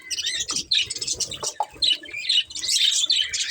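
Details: Budgerigars, a colourful breeding pair, chirping and warbling: dense bursts of bright, scratchy high notes in quick succession, with short rising whistles between, constant chatter.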